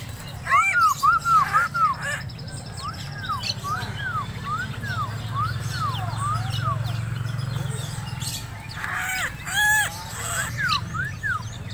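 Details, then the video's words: Untrained koak kaok (helmeted friarbird) from Sumbawa calling in rapid series of arched, down-slurred notes, several per second, pausing then resuming, with a low engine-like rumble and a man speaking afterward. "Burung koak kaok Sumbawak"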